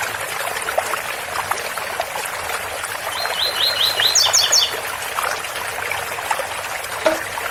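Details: Double-collared seedeater's tui-tui song in Ouro Fino style: a short phrase of repeated whistled notes ending in high doubled chips, nearly buried in the loud, steady trickle of running water from a spout.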